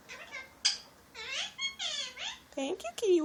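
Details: Male Indian ringneck parakeet, a pet, chattering in human-like words such as thank you: a dense, continuous string of strongly harmonic, bending syllables ending in louder, lower squawky sounds.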